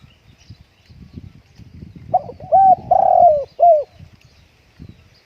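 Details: Spotted dove kept at home on a windy day singing one phrase: a short coo, then three rounded, mellow coos with a longer sagging middle note, over faint low murmuring.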